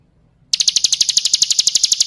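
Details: Female bar-winged prinia calling for a male, used as a lure: after a brief silence, a fast, sharp, high chatter of evenly spaced notes runs to the end.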